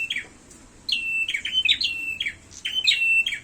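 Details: Fighting prinia, grey or red-headed, giving sharp high chirps with short level tails, repeated several times in quick irregular succession, growing busier toward the end, with a quiet background.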